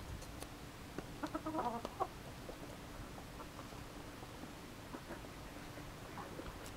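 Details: A Yamato Gunkei chicken, during its usual daily routine, gives a single short, harsh, rasping call of about a second, then quiet with soft background noise and faint clicks.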